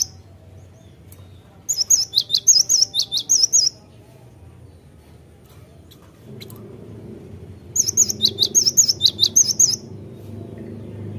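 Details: Cinereous tit in full song: two phrases of roughly eight quick, high, bouncing notes alternating between two pitches, separated by a pause of about four seconds, with faint low background hum.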